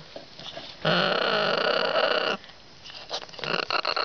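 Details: Pet male parrot kept in a cage, driven by the urge to nest, inside a new nest box made for shredding wood. One loud, harsh, noisy scream of about a second and a half, followed by scattered shorter rasping squawks and clicks.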